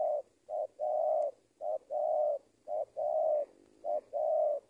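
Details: Trained decoy spotted dove giving steady paired coos, a clipped note then a drawn-out throaty coo, about four pairs in under five seconds, with a faint low hum behind.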